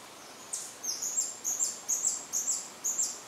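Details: A White-bellied Emerald singing from a perch at BFREE, Belize, on 6 February 2013 gives a run of thin, very high, squeaky notes, repeated about three times a second, over a soft background hiss.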